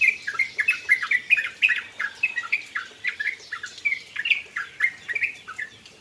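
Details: After bathing in the rain, a trucukan (yellow-vented bulbul) gives a steady stream of lively chirps, short sliding notes roughly every third of a second, some louder peaks, background otherwise quiet.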